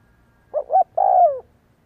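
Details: Spotted dove calling to provoke and train decoys: two clipped hooting notes lead into a sustained coo that slowly descends, clean with no other sounds.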